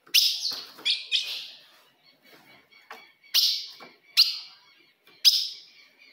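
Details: Female ultramarine grosbeak call used to provoke a male: three quick chips close together, a short lull with faint ticks, then three louder single notes about a second apart.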